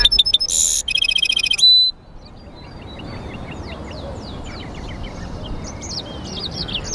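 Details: Caged European goldfinch × canary mule singing: a burst of bright, rapid metallic twitters and buzzy trills in the opening two seconds, then softer, scattered high chirps and slurred notes over faint background hiss.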